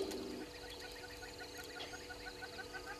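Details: A Red-billed Hornbill at Gowrie dam waterhole, Djuma Game Reserve, Sabi Sand, South Africa, at 05:53 on 04/03/2022, gives a quick run of hollow, clucking notes, several each second, over a steady background hum.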